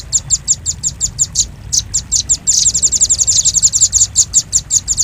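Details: Velvet-fronted nuthatch, the red-billed nuthatch, played as a lure sound for attracting birds. Rapid, very high, sharp chip notes repeat evenly, then speed into a dense, louder chattering trill halfway through, over a low background rumble.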